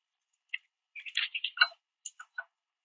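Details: At a backyard platform feeder, a male Northern cardinal, chased off by Common Grackles and Red-winged Blackbirds, growls at them with a short burst of harsh, scratchy notes, then a few sharp metallic chips spaced a fraction of a second apart.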